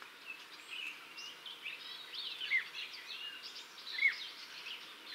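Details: Blyth's reed warbler, a bird of gardens and forest edges that nests in nettle stems, gives a steady, unhurried stream of varied chattering, whistled and scratchy high notes, possibly including borrowed calls of other birds, with soft background hiss.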